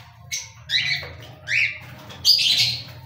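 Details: Cockatiel giving three short, bright, rising chirps about half a second apart, each with a clear upward sweep, over a low steady hum.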